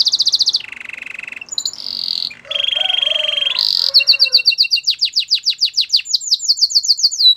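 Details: Canary song meant for coaching canaries: varied buzzy rolls and harsh trills at several pitches, then a long run of quick, sharp, downward-sweeping notes.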